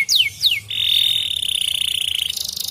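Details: Canary song used to stimulate other canaries to sing: two quick falling whistles, then a long flat sustained whistled tone ending in a rapid buzzy trill.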